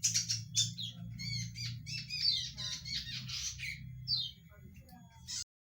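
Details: Lure recording of a loud-voiced zitting cisticola: rapid, rasping, squeaky notes in tumbling bursts that thin out toward the end, then stop abruptly, with a low hum throughout.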